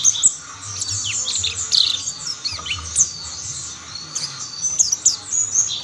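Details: Mountain white-eye song with more birds chiming in: shrill, high warbling chirps and slurred descending notes in irregular bursts, over a low rumbling background.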